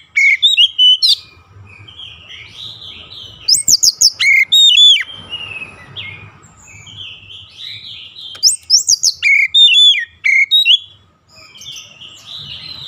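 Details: Oriental magpie-robin song played as daily training for a long rolling song (ngeroll): loud bursts of sharp whistled notes and buzzy chatter sweeping high and low, three main bursts separated by softer warbling, with a low hum underneath.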